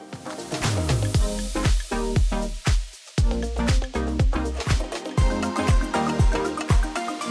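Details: Upbeat dance music with a steady thumping beat and bass throughout, no animal calls audible.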